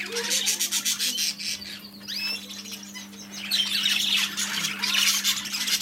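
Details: Shop budgerigars from a new arrival give quick rising chirps and scratchy warbles, briefly thinning before the flock chatter swells again, with a low hum throughout.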